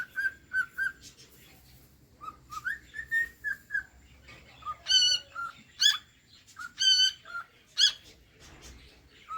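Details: Cockatiel singing a varied string of whistles: short level notes and upward slurs, some loud and rich in overtones, roughly one every half second, over a low background hum.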